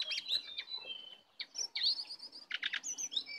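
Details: Wild Oriental magpie-robin arriving to attack, giving high varied whistled notes, clear slurred phrases and short chattering bursts broken by brief pauses.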